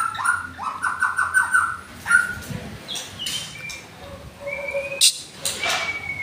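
A White-rumped shama sings a rapid run of short rising whistles, about four a second, then shifts into varied clear whistled notes and a sharp chip.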